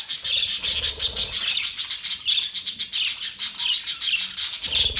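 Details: Australian parrots recorded on October 10, 2023, giving dense, rapid, high chirps and squeaky notes in a continuous pulsing stream throughout, with several birds seemingly calling together.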